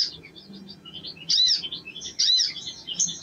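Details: Sogon (sogok ontong), a male bird singing in a spirited, lively style: high chirps and quick twittering notes, with two louder bursts of rapid, scratchy warbling partway through.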